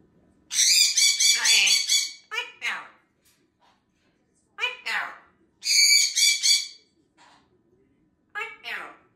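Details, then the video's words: A chatty Grey parrot talks at night, telling another parrot to pipe down in bursts of harsh, high-pitched mimicked speech and squawks, about four phrases in nine seconds with short pauses. "African Grey Parrot tells her brother Sunny to PIPE DOWN"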